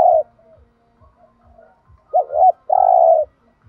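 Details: Thúc gù coos of a spotted dove, used to prompt other doves to call. The tail of a long coo opens, then one full phrase follows: a short two-part hoot and a sustained low coo. Faint regular ticking underneath.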